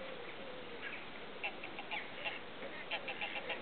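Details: Eurasian oystercatcher parents with three chicks at Slimbridge Wetland Centre's rushy lake, Gloucestershire; rapid series of sharp piping calls, several per second, over steady background hiss.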